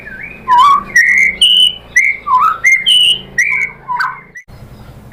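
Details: Indonesian white-rumped shama song used to provoke a caged shama to reply: loud, fluty whistled phrases alternating between high and lower pitches, each about half a second long, with soft background hum.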